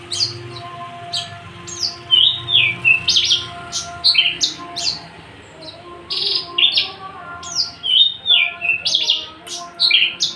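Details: Unringed, tame male Javan bush lark kept in a cage, described as a constant singer, delivering a busy varied song of quick high slurred whistles mixed with sharp clicky bursts and short buzzy notes, over faint background hum.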